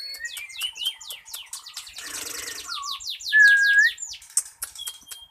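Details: Varied 'isian' song of a white-rumped shama, used as a lure to start silent birds singing: series of quick falling sweeps, a short noisy burst, then a clear sustained whistle and scattered high notes.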